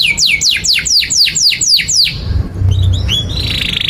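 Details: Canary repeating steep downward-sweeping chirps about four per second, then a short gap and a soft sustained high buzzy trill; tutor song for young canaries learning to sing.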